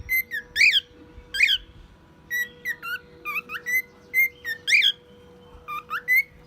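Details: Pet male cockatiel, one year old, singing and imitating a car alarm and other noises: loud squeaky rising calls alternate with shorter flat whistles in an uneven, lively sequence, with a background hum.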